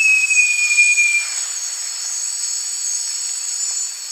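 A Great jacamar gives one long, clear, high whistle that falls slightly over about a second. Steady high insect drone continues behind it.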